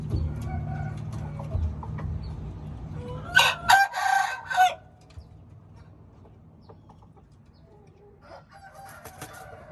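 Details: Red junglefowl giving a brief, broken crow of several harsh pulses over about one and a half seconds. A low rumble runs before it, and quiet follows with faint distant sounds.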